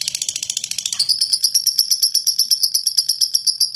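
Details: Lovebird in a coarse ngekek bout, a provoking chatter for other lovebirds. A harsh, blurred rattle for the first second shifts into cleaner, ringing high clicks repeated about five times a second.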